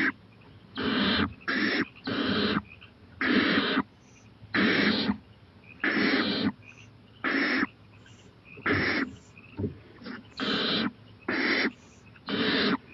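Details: At 11:26 pm on 23 April 2018 an owl ventures onto a porch and eyes a playground, giving about thirteen rasping, broadband hisses, some doubled, in an uneven run roughly once a second.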